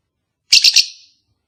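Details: Lovebird, a kept bird in a pair being encouraged to mate: one brief, piercing call of three rapid pulses that trails off into a short ringing tail.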